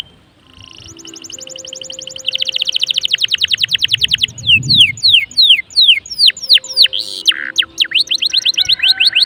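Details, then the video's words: Singing canary kept as a pet, played to spur other canaries into song: a quiet start, then fast high trills that slow into sweeping downslurred notes, with a nasal buzz near the end and faint low background hum. "PANCINGAN SUARA KENARI GACOR || kenari gacor ampuh bikin kenari lain ikut gacor"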